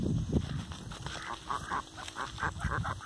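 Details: Rouen ducks at a breeding farm, a flock giving rapid, repeated nasal quacks in quick bursts over a low background rumble.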